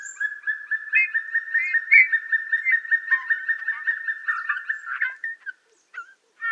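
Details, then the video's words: Song of a Eurasian bullfinch, Tula Zaseki, Tula Oblast, Russia, 18 March 2015: a quiet, continuous creaky twitter of rapid, even notes lasting about five seconds, with a few brighter whistled notes mixed in, then brief piping notes. "Песня обыкновенного снегиря Pyrrhula pyrrhula / Eurasian bullfinch song"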